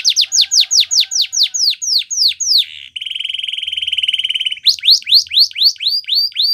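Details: Canary song used as training to encourage other canaries to sing, possibly Spanish Timbrado style: rapid repeated down-slurred whistled notes, then a fast buzzy trill held for nearly two seconds, then rising and falling slurred notes repeated quickly.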